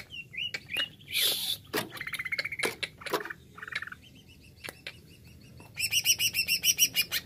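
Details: Greater green leafbird (cucak ijo) singing in the jamtrok wik wik style: high varied phrases of chirps, a buzzy trill and rapid repeated notes, ending in a fast pulsed series of sharp high notes.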